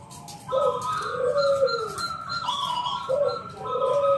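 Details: Rounded cooing of a local zebra dove, 'ngalun kung bulat' style, played to make other doves sing. Two low, swelling coos sound under a held higher tone, with a hissy background.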